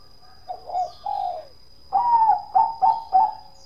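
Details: Bangkok-type zebra dove (perkutut) singing in the prized 'kong' style. Two soft, trilled coos open, then a rolling run of four clipped, resonant notes follows in quick succession.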